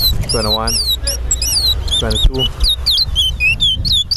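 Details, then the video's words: A seed finch (towa towa) sings quick, high whistled notes, rising and falling, several each second, as men's voices call out counts over the song at a towa towa bird competition at Sheriff Street bird ground, Guyana. "TOWA TOWA BIRD COMPETITION"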